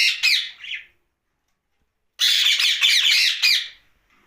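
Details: Pet rose-ringed parakeet talking at night indoors: a short burst of harsh, chattering squawky syllables, a pause of about a second and a half of silence, then a longer run of rapid raspy phrases with a brief fading end.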